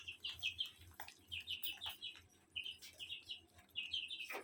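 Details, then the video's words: Pet parrot chirping: short high squeaky notes in quick groups of three or four, repeated through the recording, over a faint low hum, ending with a falling squeal. "Parrot Sounds Videos Compilation | Mitthu Mitthu Parrot Sounds | मिट्ठू मिट्ठू |Funny parrot sound"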